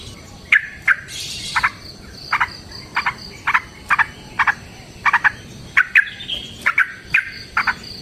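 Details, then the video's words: Yellow-vented bulbul in a long fighting song (ropel panjang) used as a lure: short clipped chirps repeated about every half second, some in quick pairs, with faint high hiss. "TRUCUKAN GACOR TARUNG ROPEL PANJANG"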